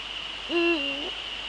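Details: Loud single hoot from a male Eurasian eagle-owl in the Netherlands, evening of 30 January 2013 at 18:00. The note swells upward, stays level, then eases down and lifts briefly at the end, over a steady high whine.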